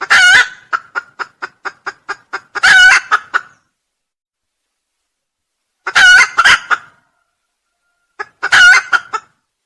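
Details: Red junglefowl crow, a recording meant for luring: loud, rasping crow bursts come four times, separated by pauses of silence, and a quick series of short, sharp clucks runs ahead of the first one.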